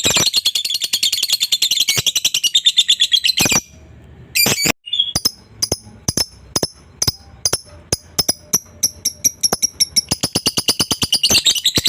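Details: Lovebird in long chattering used to provoke a rival into answering: dense, harsh, high chatter, a pause with a few sharp clicks, then a run of evenly repeated high chirps building back into rapid chatter.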